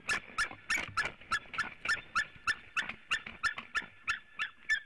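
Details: At a Latvian white-tailed eagle nest on 26 Feb 2018 around 11:06 am, as the male arrives for nest work and the female for mating, an eagle gives a fast series of about sixteen sharp yelps; finding: White-tailed eagle.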